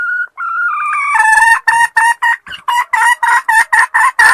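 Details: Female red junglefowl calling the male: a few drawn-out nasal notes rising in pitch, then a fast run of short harsh cackling notes at about four per second, loud and clear with no other sounds.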